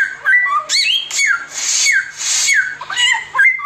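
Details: Oriental magpie-robin singing 'tembakan' style, mixing falling whistled notes with two long rasping hisses near the middle and quick twisting phrases at the end.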